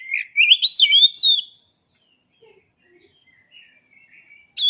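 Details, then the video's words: Oriental magpie-robin (kacer) song: a burst of loud, varied whistled notes rising and falling over about one and a half seconds, followed by near silence with faint scattered notes and a sharp note at the end. "Suara Asli Kacer"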